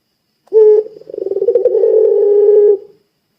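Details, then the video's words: Single drawn-out coo from a puter pelung dove, a call meant to trigger nearby doves: a sharp low onset, a pulsing middle and a smooth sustained tone fading out after about two seconds. "Suara Burung Puter Pelung Gacor Bikin Puter Pelung Langsung Ikutan Gacor"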